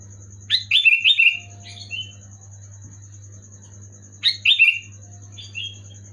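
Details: Sooty-headed bulbul (kutilang) singing loud clear gacor song to trigger reluctant birds: two rolling bubbly phrases of four or five whistled notes about three and a half seconds apart, each followed by a softer double note; steady hum behind.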